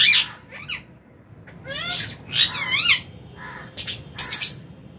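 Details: Aviary lovebirds of several colour forms at feeding time, January 2023, giving loud harsh chirps and wavering squawks in short bursts of two or three notes, over faint background hum.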